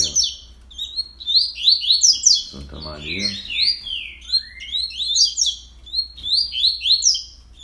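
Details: Fast tournament-style song of a caged Double-collared Seedeater, recorded at 06:30 on 31 October: a rapid stream of whistled, slurred notes sweeping up and down, briefly interrupted by a man's voice.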